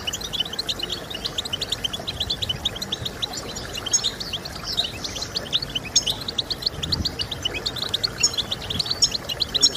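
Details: Song of the European goldfinch, aimed at stimulating singing in goldfinches: unbroken fast twittering of high, clipped chirps and short buzzy notes, evenly paced and dense, soft background hiss.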